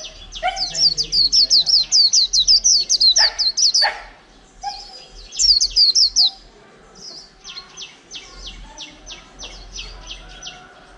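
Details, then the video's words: White-eye in a cage, taken from the wild over a month ago, delivering líu song: bursts of quick, high, down-slurred whistled notes, a pause, another burst, then softer, evenly spaced clipped notes with background chatter. "chim khyên víp mộc hơn tháng lồng cheo là líu hàng tuển"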